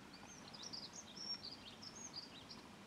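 A dunnock gives a quick, high, jingling warble that runs unbroken for over two seconds, faint over a low background hum.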